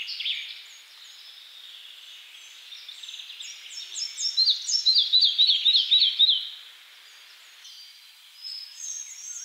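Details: A red-breasted flycatcher sings a strong phrase of about eight rhythmic, repeated, slurred whistles lasting two seconds, preceded and followed by softer twittering and high chirps from surrounding birds.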